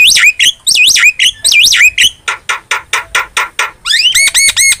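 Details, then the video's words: Starling song from an Indonesian training recording meant to coax kept starlings into singing: rapid whistled upslurs and loops, then a run of buzzy broadband notes, ending in bright arched whistles repeated about twice a second. "OCEHAN JALAK GACOR"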